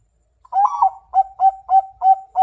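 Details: Zebra dove song: a short rising cooing opening, then a run of clipped, mellow coo notes repeated about three times a second.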